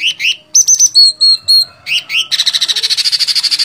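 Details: Sooty-headed bulbul (cucak cungkok) in gacor fighter song: arched chirps and a row of level whistles, then a fast, even trill of clicking notes, about three or four per second, running to the end.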